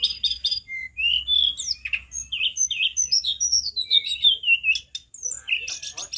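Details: Tledekan gunung singing loudly: a long run of sweet, slurred, descending whistles linked into a flowing phrase, opened and closed by short dense chattering bursts.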